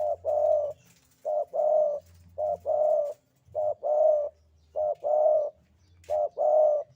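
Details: Javan spotted dove singing the sandungan kuk 2 style, a vocal bird: five paired phrases of soft, low coos, each a brief note then a longer drawn-out one, repeating roughly every one and a half seconds over faint background hum.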